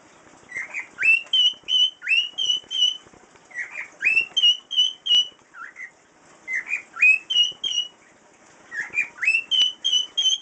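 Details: A.J., a 5-year-old cockatiel, whistles one of his learned tunes of clear, rising notes in repeated phrases.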